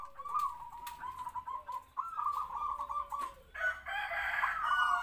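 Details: Zebra dove decoy with a medium voice, captive-bred and about three to four years old, kept in a small open cage. It gives steady rolling kwor coos for three seconds, then a loud harsh noise drowns them.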